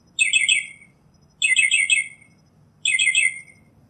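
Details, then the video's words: Northern mockingbird singing: three similar bright, chattering phrases, each under a second, spaced about 1.3 seconds apart. A faint low hum runs underneath. "Northern Mockingbird Song, Sound, Voice, Call, Melody - Sinsonte Canto - Mimus Polyglottos"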